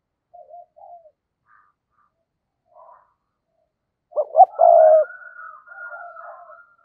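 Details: Decoy spotted dove calling to draw wild doves in. A few faint, soft coos come first, then one loud phrase of two quick notes and a longer coo, followed by thin whistled tones.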